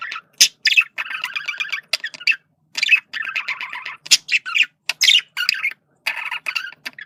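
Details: A male budgie communicating with rapid, rasping warbled phrases split by sharp, bright chirps and clicks; the phrases come in bursts of about a second with short silent gaps.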